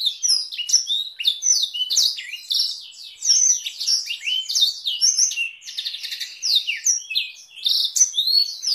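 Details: Long canary song in Blackthroat variation, meant as a tutor for young canaries and White-rumped Shamas: dense, shrill warbling of quick slurred whistles, buzzy rolls and chips, pouring on without pause.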